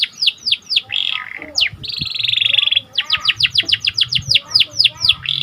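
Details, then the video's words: Lively Panda canary whose song is meant to excite other birds: falling whistles, a long buzzy roll, then a run of quick downward-slurred notes, with faint background thuds. "Meningkatkan Emosi Dengan Kicauan Burung Kenari Panda Gacor"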